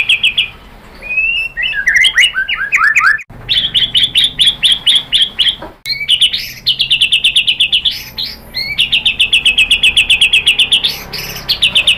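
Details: White-rumped shama singing as a lure to stir other birds into song: sweeping whistled phrases, then fast strings of sharp repeated high notes broken by brief pauses.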